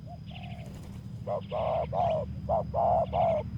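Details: Spotted dove lured with a decoy bird on a bare earth clearing, calling in a loud run of rounded, hollow coo notes, five or six in quick succession after a softer opening note, faint higher chirps behind.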